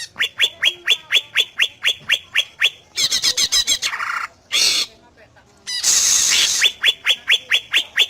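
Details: Greater green leafbird song meant to draw replies from other leafbirds: rapid series of clear upslurred whistled notes, then dense chattering trills and rasping bursts, before the whistled series resumes.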